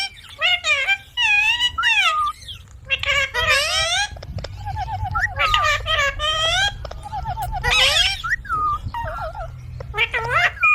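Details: Talking ringneck parrot uttering a long series of speech-like phrases: high harmonic syllables with swooping inflections, some quickly repeated, separated by short breaks.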